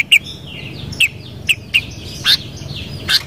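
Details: Sooty-headed bulbul singing a series of brief bright whistled notes, evenly spaced about half a second apart, with quieter birds chirping in the background.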